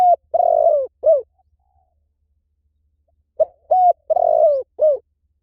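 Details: Spotted dove cooing: two clear phrases, each a short note, a longer hollow coo and a closing note, separated by a silent gap of about two seconds.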